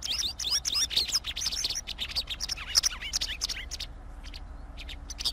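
White wagtail singing a rapid, twittering run of high chirps and slurred notes, busiest for the first three seconds before thinning to scattered chips, over a low hum.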